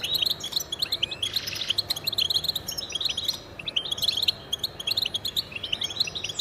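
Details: Goldfinch song, males using it to defend territory and attract mates: rapid tinkling notes and quick upward whistles repeated in lively bursts, overlapping voices, one brief rasping buzz early on.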